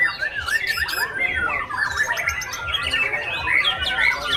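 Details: Young Oriental magpie-robin performing: a loud, rich run of varied whistles, slurred rising and falling notes and scratchy phrases, delivered without pause.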